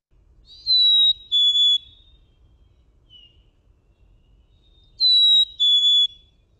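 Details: Black-capped Chickadee song: a clear whistled 'fee-bee' sung twice, a higher pure note then a slightly lower one with a tiny break in the middle of the second whistle, against a faint low hum.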